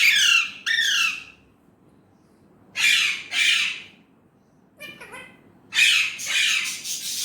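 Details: Indian ringneck parrot speaking Urdu/Hindi: paired harsh, grating word-like bursts separated by long silences, followed by a quick stuttering sequence and a longer raspy phrase to close.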